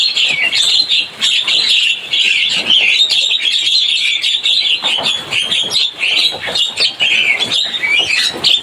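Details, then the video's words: Javan myna twittering: loud, dense overlapping high chirps and squeals running without break, lively and crowded. "Suara burung jalak kebo cuitannya bikin rame"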